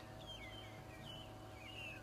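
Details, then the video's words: Magpie shrikes singing together in a chorus during a morning safari drive at Djuma Game Reserve, South Africa, November 9, 2011; overlapping clear whistled notes, some sliding downward, over a steady low vehicle engine hum. "You can hear all these magpie shrikes singing"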